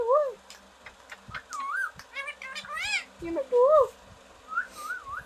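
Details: Mimicking green parrot gives scattered, speech-like syllables, some wavering and nasal and others clipped, separated by short silences, with a quiet background.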